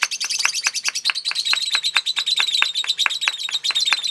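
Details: Lovebird in a singing contest pouring out its long ngekek chatter, shrill, scratchy high notes crowded tightly together in a continuous, slightly uneven rattle.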